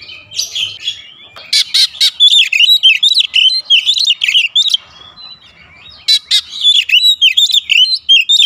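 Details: Oriental magpie-robin singing long phrases of quick, twisting whistles mixed with harsh buzzy bursts, pausing briefly around the middle before resuming.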